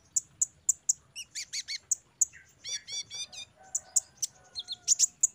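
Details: Sunbird therapy song meant to make untrained caged birds sing. Evenly spaced high sharp chirps interrupted by short bursts of hooked, descending notes and a final cluster of loud squeaky notes.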